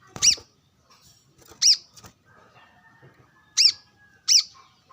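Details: Brown-throated sunbird calling while sunbathing, answering wild birds: loud, sharp, high chirps, each a quick arch, in pairs and singles with long pauses, faint rustling between.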